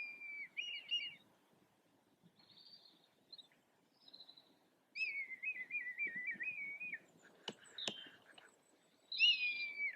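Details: A pair of red kites displaying over a garden and farmland in Yorkshire at lunchtime on 24 February 2021, a grotty overcast day, give high, wavering whistled mews, long quavering calls with fainter higher notes between and a sharp click.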